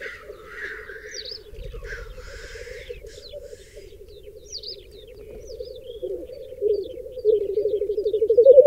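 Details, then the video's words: Black grouse lek on a raised bog in the Berezinsky Biosphere Reserve, with up to 30 cocks and 20 hens, most hens around one male: cocks bubble in a low, dovelike rookooing chorus that swells, with thin, high chirps from other birds. "тетеревиный ток"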